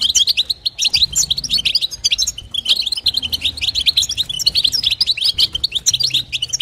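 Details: Female European goldfinch calling to stimulate a male: rapid, dense twittering of short bright chirps and tinkling notes, nearly continuous with brief pauses, over a faint low hum.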